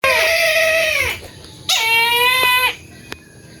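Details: Brahminy kite, a rare and protected bird, at the deer park in Banda Aceh: two long, drawn-out, harmonic mewing screams, each about a second, the second ending with a slight downward slur, with quiet between them.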